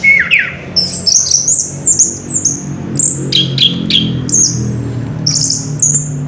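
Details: Orange-headed thrush recorded on 3 March 2016, singing ngerol style: thin, very high whistled slurs strung together quickly, broken by a few lower sharp notes, with a constant low background hum.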